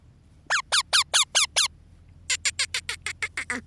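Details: Baby parrot feeling cold, giving harsh downward-sweeping squawks in two quick bursts, six calls and then about eight, each call a fraction of a second apart, over a quiet background.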